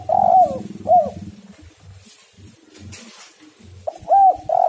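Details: Spotted dove cooing, used as a lure call to bring other doves into song: two hoarse descending coo notes at the start, a quiet gap with low thumps, then two more loud coos near the end.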